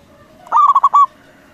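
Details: Single phrase from a loud, actively singing local zebra dove used to trigger replies from rival doves: about five rapid, throaty, bouncing coo notes ending on a slightly longer one.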